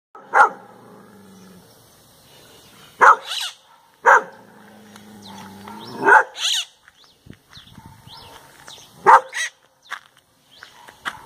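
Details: A maritaca parrot imitating dogs, which bark when someone passes, gives rough, dog-like barks, single or in pairs every few seconds, with softer chatter and a low hum between them.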